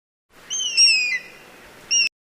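An eagle gives a thin, high whistled call that slides slightly downward, then a brief repeat.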